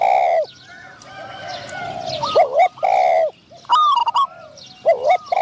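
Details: Spotted dove decoy trapping session, a caged decoy drawing in a wild dove of middling voice; rich wavering coos open and close the passage, with quieter, softer answering notes and sharp chirps in between.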